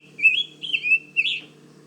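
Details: Male Scarlet Tanager (Piranga olivacea) singing high in the canopy to establish and defend territory: three short, burry, slurred robin-like phrases, over a faint low hum. Manchester Cedar Swamp Preserve, New Hampshire, mature deciduous/mixed forest, first reported mid-May.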